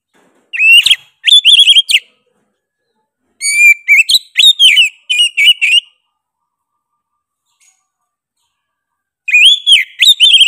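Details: Oriental magpie-robin in loud, insistent, sharp song. Short bursts of rich whistled notes, some rising and some falling, are separated by silent gaps of a few seconds. A final burst starts near the end.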